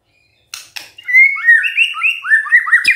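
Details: Energetic song of a white-rumped shama: two short scratchy notes, then a fluid run of sweet, curving whistles at a quick, uneven pace, ending with a sharp high click.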